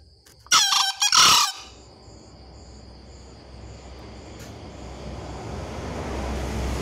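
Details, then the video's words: A green junglefowl gives one short, loud, harsh crow in two rasping bursts, not a clean call, followed by steady background hiss and a faint high whistle. "Suara keras Ayam Hutan Hijau"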